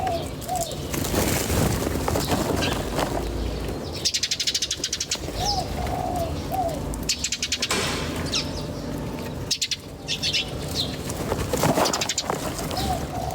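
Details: Birds in nature: a busy chorus of high chirps and trills, with short lower whistled notes scattered between and a continuous low background hum.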